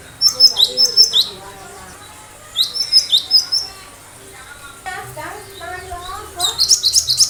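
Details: Cinereous tit in gacor form firing sharp 'tembakan' phrases: rapid runs of five or six high, thin, hooked notes, three series in total, with softer lower twittering in the middle.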